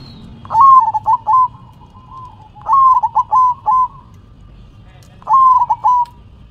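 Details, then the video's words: Zebra dove singing in the manggung style while shaking its head: three loud phrases, each a rising whistled coo followed by a quick stuttering series of coos, repeated about every two seconds over a low background hum. "Perkutut BERDZIKIR, Manggung nya Geleng -geleng Kepala"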